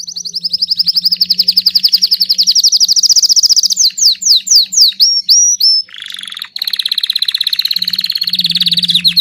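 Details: Belgian king canary singing non-stop: a sustained rapid high trill, a run of swooping slurred notes, then a second fast, buzzy, pulsed trill that grows louder. A faint low hum sits in the background.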